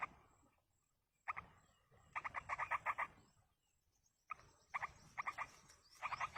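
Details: Yellow-vented bulbul chicks in the wild being fed by a parent, giving bursts of harsh, stacked, rapidly repeated begging notes in clusters with short silent gaps between them.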